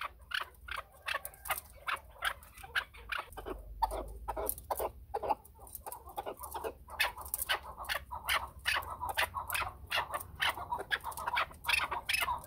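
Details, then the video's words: Chukar partridge in a fast, ragged chorus of raspy clucking notes, repeated over a noisy background with broad hiss throughout. "chakor ki awaz //چکور کی اواز"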